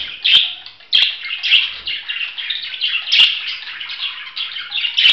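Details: Budgerigar chatter of short squeaky chirps and buzzy notes with sharp clicks, the squeaks bursting out in brief loud spurts between softer warbling.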